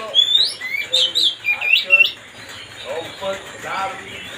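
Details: Oriental magpie-robin song used to make another bird agitated, with a quick run of loud rising and falling whistles for two seconds before fading into softer, lower twittering notes.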